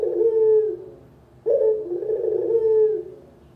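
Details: Local spotted dove calling as a lure for trapping and tutoring: two low, mellow coo phrases, each a short throaty lead-in and a sustained hollow note, separated by a brief pause.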